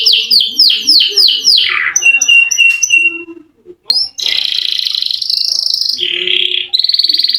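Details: Canary performs a long rolling song to draw quiet canaries into singing: loud falling slurs, clipped high notes, a short pause, then extended buzzy rolls at shifting pitches.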